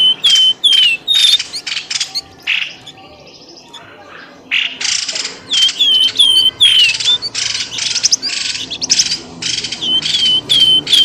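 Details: Calls played to draw birds out of bushes: rapid bursts of high chirps mixed with clear, downward-sliding whistles, broken by a quiet pause of about two seconds before the lively chattering resumes.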